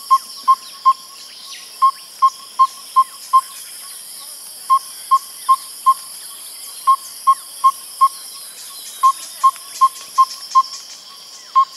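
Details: Yellow-rumped Tinkerbird giving short bursts of three to five mellow, hollow 'pop' notes with brief pauses between bursts, in a rhythm like an African hoopoe's rather than the monotonous call of yellow- or red-fronted tinkerbirds, over a steady insect hiss.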